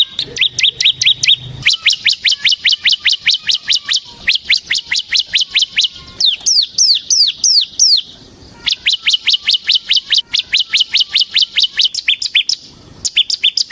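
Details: Ciblek semi, bar-winged prinia, in long gacor ngebren song used as a lure: extended rattling series of fast, high downward-sweeping chirps, with brief breaks and changes of note shape.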